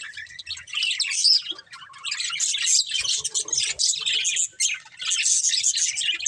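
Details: Budgerigar breeding pair in lively chatter, a nearly unbroken run of high twittering, scratchy chirps and warbles with a few short gaps.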